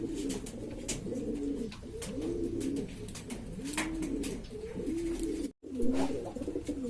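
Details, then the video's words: Domestic pigeons of East Lombok, Indonesia, various varieties kept by fanciers and noisy among themselves: repeated low rising-falling coos, several birds overlapping, with clicks and a brief dropout. "burung merpati ini ribut sendiri"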